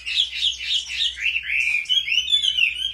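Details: Caged Chinese hwamei in competitive singing, kept and trained at home, with a wild-type voice: a continuous, rich warbled phrase of slurred, rising and falling notes run together without pause.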